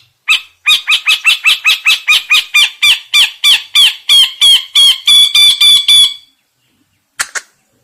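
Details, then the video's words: Cendet singing in an energetic burst: about twenty sharp, evenly spaced harsh notes with whistled overtones, repeated roughly three per second, then a pause and one lone note. "CENDET GACOR"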